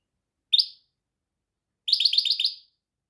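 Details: European goldfinch: one short chirp, then after a pause a quick trill of about six evenly repeated bright notes.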